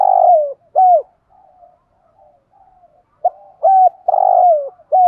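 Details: Good-voiced spotted dove recorded to train decoy birds; a long hollow coo and a shorter hooked one, a pause filled with faint soft murmurs, then a rapid run of four deep coos including one drawn-out note sliding down.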